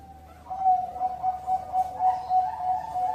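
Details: Ringed captive zebra dove (perkutut) from a bird farm in Cirebon, Indonesia, hatched 16-10-20, gives a soft, mid-pitched cooing song of quick staccato notes, several per second, over faint background hiss.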